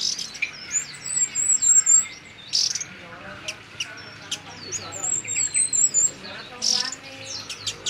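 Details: Chestnut-crowned warbler giving thin, very high-pitched notes: short sliding whistles and brief trills in quick irregular bursts, with a few louder sharp chips. Faint low background noise sits underneath.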